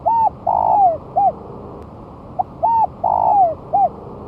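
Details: Spotted dove singing on the ground a month after moulting, kept as a lure: two loud, clear phrases, each a hollow coo, a longer rolling note gliding down, and a short end coo, separated by a brief pause.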